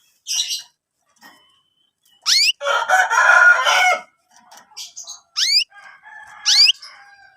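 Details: Young canaries, used as lure material for training canaries: loud rising harmonic sweeps between harsh, buzzy chattering bursts, with softer scattered chirps in between.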